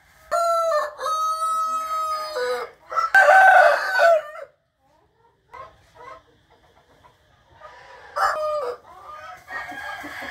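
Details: Roosters crowing in the morning, recorded 8 April 2021: a long harmonic crow with a steady held middle runs about two seconds, followed by a second harsher crow and a later, more distant crow.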